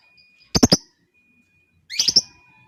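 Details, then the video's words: Two bursts of rapid triple chirping from a lovebird, each harsh and high, separated by more than a second of near silence. "TIDAK BUTUH LAMA LOVEBIRD LAWAN LANGSUNG NGEKEK PANJANG,Gacor sepanjang hari dgn suara jitu lovebird"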